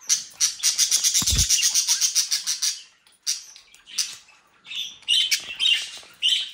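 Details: Several captive budgerigars from a breeding group near Den Haag, Netherlands: a rapid pulsing buzzy chatter for three seconds with a brief low thud, then separate squawky chirps.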